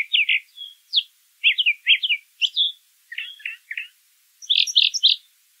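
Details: Singing brown thrasher outdoors, delivering a run of short phrases, many doubled: chirpy notes, clipped whistles, low rattling triplets and a final burst of four bright high notes.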